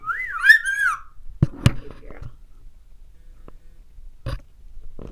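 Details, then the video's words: Pet parrot indoors whistling on request: a clear, looping, tonal whistle that swoops up and down for about a second, followed by taps and a sharp clack from a treat cup against the microphone. "Talking Parrots"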